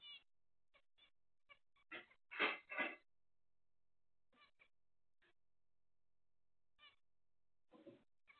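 Zebra finch calls, short nasal toy-trumpet notes with a louder burst of rapid calling.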